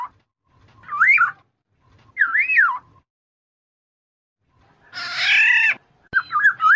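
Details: Kepodang emas, the black-naped oriole, in a trapping lure: two wavering, yodel-like fluty whistles about a second apart, a pause, then a rasping nasal squawk and a further warbled whistle.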